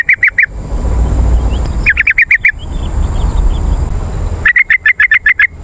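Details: Lure recording of a yellow-vented bulbul to attract wild birds and prompt caged birds to answer: three bursts of quick, bright notes, three, five and about nine notes long, separated by quieter stretches of low noise.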